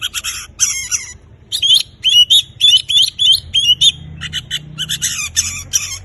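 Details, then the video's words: Oriental magpie-robin in song to spur mute birds to sing: harsh scratchy bursts frame a run of repeated whistled notes with small upward flicks, the phrases coming quickly with brief pauses, low rumbling noise faintly beneath. "Kacer gacor"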